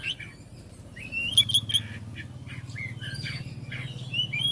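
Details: Oriental magpie-robin song meant to make other magpie-robins respond: scattered whistled notes and short slurred phrases, some rising, over a steady low hum.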